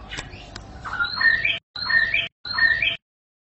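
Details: Short White-rumped shama phrase, played to get shamas 'ngentrok', repeated three times with brief silent gaps: a burbling start, then a bright, level whistle ending in a quick high flourish.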